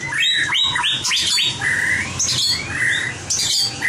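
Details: White-rumped shama trained in competition singing: quick upswept whistled notes tumble into longer level and sliding whistles, then high sharp phrases, rich and varied over a faint low hum.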